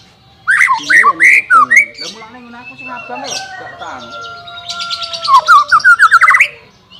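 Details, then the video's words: White-rumped shama song played to train a bird reluctant to sing: loud varied whistled phrases with slurred notes, a long steady tone in the middle, then a fast run of sharp repeated notes. "CARA MELATIH BURUNG MURAI BATU MALES BUNYI"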